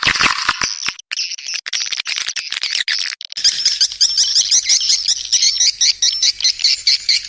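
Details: Swiftlet call played to attract swiftlets: dense, high, buzzy twittering in rapid bursts, a brief pause near the three-second mark, then faster chattering chirps that continue to the end.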